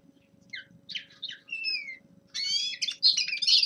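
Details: Young male common linnet practising winter song: scattered twittering notes and drawn-out whistled slurs, then a dense burst of rapid buzzy warbling; faint low background hum.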